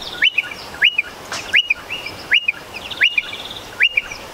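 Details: Striated pardalote pair at their nest in a stone wall under a shed, during courtship: a clear, sharply rising note that drops to a short flat tail, repeated about every three-quarters of a second, six times.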